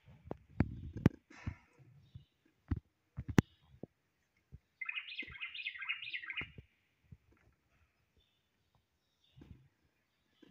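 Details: Common blackbird song: one warbled phrase of about a second and a half, made of quick rising and falling notes. Loud tapping and clicking noises come before it, then quiet.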